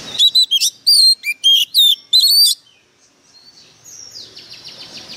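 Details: White-rumped shama, a decoy bird singing fiercely: a dense burst of loud varied whistles, chirps and slurs lasting about two and a half seconds, followed by softer distant chirping and faint background noise.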